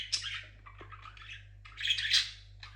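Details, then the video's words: Pet parrot singing produces a raspy squawk, a softer wavering warble, then a louder extended harsh chatter. "Der Papagei singt schön."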